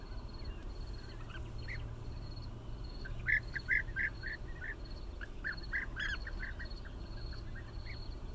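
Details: Bee-eaters sound a run of short, rolling notes, briefly louder in the middle, mixed with softer distant calls, while an insect ticks steadily and wind rumbles low.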